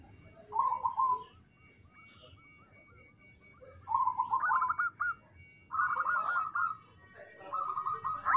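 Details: Local zebra doves give softer rolling cooing phrases, each about a second long, separated by quiet gaps over a low background hum.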